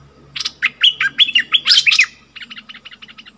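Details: Caged decoy bulbul recorded 28 February 2021 while wild birds come to the cage; a fast run of clicky onsets and bright, down-slurred whistled notes, then a rapid string of short rattling notes, with faint low background noise.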